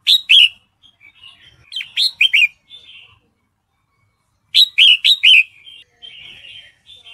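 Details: Red-whiskered bulbul female in breeding condition calling to a male, giving bursts of three or four bright, slurred chirps that dip and rise, separated by soft twittering and quiet pauses.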